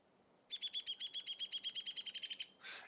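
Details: A Downy Woodpecker in a New York City park gives its whinny call: about sixteen quick, high, squeaky notes in a two-second run that speeds up slightly and drops in pitch at the end, followed by a brief rustle.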